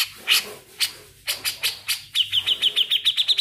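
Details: Grey-cheeked bulbul in lively song: several spaced, scratchy, broadband notes over soft background noise, then a fast trill of bright, high, clipped whistles repeated evenly about five times a second.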